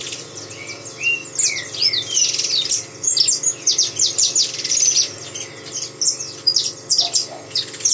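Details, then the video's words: Saffron finch singing: a long varied run of sharp high chirps, slurred whistles and quick notes, delivered in tight bursts with brief pauses, over faint steady background hum. "canário da terra cantando"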